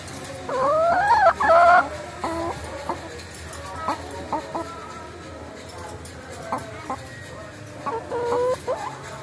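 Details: Chickens riding in a car before slaughter, giving loud harmonic squawking calls that rise and fall in quick bursts over the first two seconds, then shorter, fainter clucks spaced through the rest, with a steady background hum.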